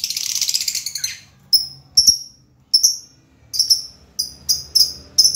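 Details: A shrill buzzy chatter from a lovebird gives way to evenly spaced, piercing downslurred chirps, some doubled, repeated about every half second toward the end.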